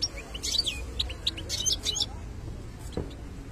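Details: European goldfinch of the type called khlawi, singing a short burst of high twittering notes and quick liquid chirps, then a pause with low room noise and a faint knock.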